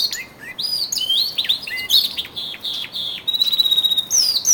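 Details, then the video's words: Early February song from twelve male canaries gaining intensity before spring: varied swooping whistled notes and down-slurred chirps, then a steady fast even trill, ending with rising whistled sweeps. "canary song II"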